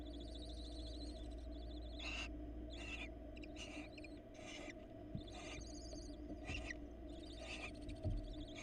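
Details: Nesting barn owls in Florida as the female brings a rat to her young and meets the male; repeated rasping hisses roughly every half second to second, mixed with wavering high trills, over steady hum.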